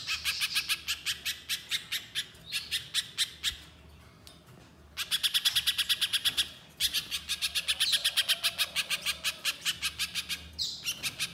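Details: Little spiderhunter song, a training and lure recording meant to provoke other birds into calling: long runs of sharp, high chipping notes repeated rapidly, with a brief pause before resuming at a steady pace.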